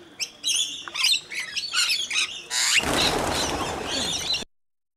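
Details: Rainbow lorikeets being fed at Mt Gravatt, Brisbane, Australia, with a scaly-breasted lorikeet among them, give a series of grating screeches before a loud rush of rustling, broadband noise drowns the calls and then cuts off.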